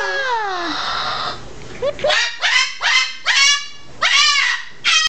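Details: A person talks, then a rescued male cockatoo with plucked, naked patches screams: several harsh, grating screeches in quick succession, indoors.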